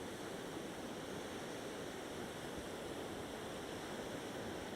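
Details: Steady broadband rushing of surf or flowing water fills the whole stretch evenly, with no distinct calls, beats or voices standing out.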